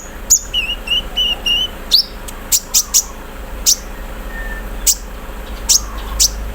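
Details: ["Olive-backed sunbird (konin), a kept bird set out in the morning dew, singing 'mesin bordir' filler phrases: sharp high ticks and short whistled notes, with a brief level whistle early on, against low steady background hum."]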